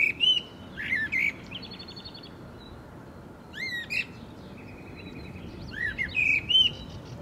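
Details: Eurasian blackbird, subspecies Turdus merula merula, recorded in April 2024 at Agia Triada, Greece: several short phrases of mid-pitched whistled notes, each followed by thin, high squeaky twitters, spaced by brief pauses over a steady background hiss.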